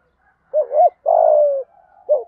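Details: Spotted dove cooing rapidly, a wavering double note then a drawn-out buzzy coo sliding slightly downward, and the start of another coo after a brief pause; low, throaty voice.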